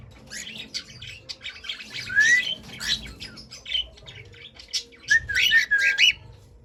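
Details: Singing pet cockatiel: a rising whistle, then scratchy chirps, and a closing cluster of whistled notes, with faint room noise underneath.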